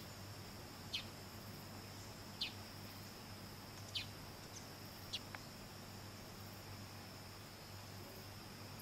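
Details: A Stuhlmann's double-collared sunbird (Cinnyris stuhlmanni) gives about four sharp, high, downslurred call notes spaced a second or more apart, over a steady hiss of insects and a low hum, in Nyungwe Forest National Park, Rwanda, in March 2013.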